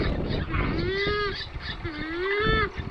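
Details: Purple swamphen call used as a hunting lure: two drawn-out nasal, harmonic wails, each rising then levelling, about a second long, over a rough, noisy background.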